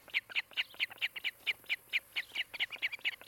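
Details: At a Charlo, Montana nest cam, one of a nesting osprey pair calls on 16 July 2018 in the afternoon. Loud, clipped, high whistles are repeated quickly and evenly, some notes doubled.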